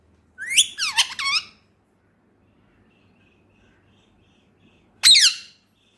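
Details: Male Indian ringneck, a talking pet in Pakistan, uttering a quick three-part speech-like phrase, then a long silence and one sharp, loud syllable.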